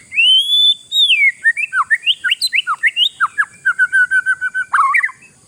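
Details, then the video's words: Oriental magpie-robin kept in a cage, its song meant to unsettle rival birds: long rising whistle, then rapid runs of sharp downslurred whistled notes, about a dozen in quick succession, over a constant high hum. "SUARA INI BIKIN BURUNG LAWAN KELABAKAN"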